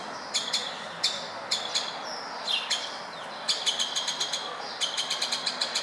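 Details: Wild woodpeckers at a Bucharest window in Berceni, Romania: spaced single and double kik calls, then two fast chattering runs of sharp notes, over faint hiss.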